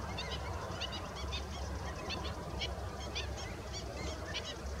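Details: Pied avocet with its chicks: short, ringing, harmonic call notes repeated every half second or so, set against a steady low rumble of background noise.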